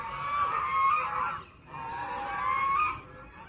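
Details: Unusual duck sounds in a forest: a pair of long, reedy honks that bend up and down in pitch, joined by a brief gap, over a soft background hiss.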